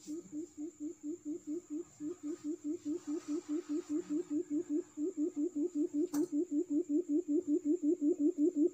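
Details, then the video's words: Forest quail lure call used for trapping: a steady run of short low hooting notes, roughly two and a half per second, growing slightly louder, over a faint constant high hiss and a brief click near the end. "suara puyuh pikat Bima"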